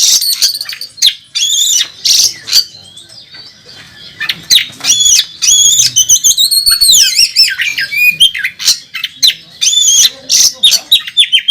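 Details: Oriental magpie-robin singing at a bird contest, opening with sharp clipped notes separated by short pauses, then a rich run of looping whistles and harsh rasps around the middle, ending in clipped chips.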